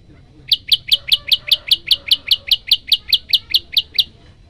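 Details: Olive-backed tailorbird in lively full song: a fast, steady run of about eighteen sharp, high chipping notes, roughly four per second, each clean and piercing, over a faint low background hum.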